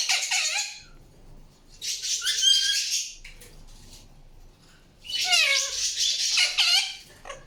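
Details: Indian ringneck parakeet producing two long, harsh, noisy screeching bursts with wavering high overtones and a few downward-sliding notes, divided by a quieter stretch.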